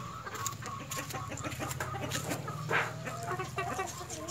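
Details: White Leghorn chickens, hen and rooster, uttering soft scattered clucks with one sharper squawk midway, over a persistent low mechanical hum.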